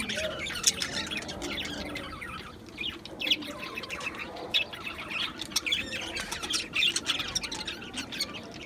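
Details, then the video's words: Aviary of Australian budgies chattering together on 11 July 2025, a constant high twittering mix of short chirps and scratchy notes, with brief louder peaks every second or so. "Budgies Chirping sounds"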